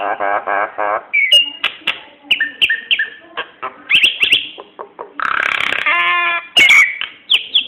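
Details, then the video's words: Lure song of a Nias hill myna for prompting other birds to sing: throaty gurgling notes, a string of clicks and short whistled slurs, a long nasal buzzing burst, then a shrill whistle. "Suara kicau burung jalak nias cocok untuk pancingan"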